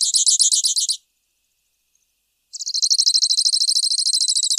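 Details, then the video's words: Grassland yellow finch (Sicalis luteola) singing a one-second buzzy trill, pausing, then a longer rapid trill of high repeated notes. "Misto Canto - Misto Llamado - Sonido! Cantando! - Grassland Yellow Finch Bird Song - Sicalis Luteola"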